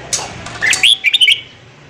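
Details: Morning singing of a red-whiskered bulbul for training newly caught birds: a rising whistle followed by a rapid string of sweet, warbled notes, all within under two seconds.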